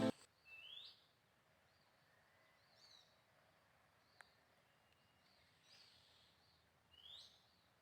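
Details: A wild female Oriental magpie-robin, restless while feeding young at a nest in a coconut tree near Purworejo, gives short, sharply rising 'sweet' whistles every two to three seconds over a quiet outdoor background.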